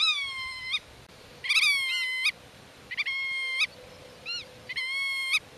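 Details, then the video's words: Territorial black-tailed godwit protecting its nest with chicks hiding in the grass: long level nasal calls alternating with brief arched yelps, loud and harsh, repeated about every second. "Rycyk w obronie gniazda - Limosa limosa"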